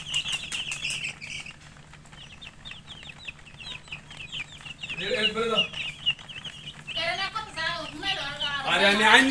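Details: Chicks (murgi) give rapid high peeps, then a series of separate short rising chirps, followed by louder harsher cluck-like calls and noisy bursts toward the end.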